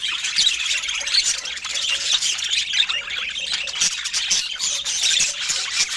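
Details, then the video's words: A group of budgerigars given fruit and healthy food chatter steadily for six seconds, a dense blend of bright twittering, scratchy squawks and quick warbled phrases with no pauses. "Budgies with Natural Sounds"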